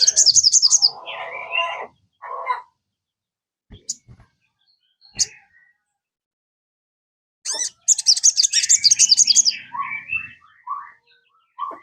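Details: Sogon song meant to encourage kept birds to sing: bursts of rapid high trilling alternating with harsher mid-pitched chattering phrases, separated by quiet gaps with a few single sharp clicks.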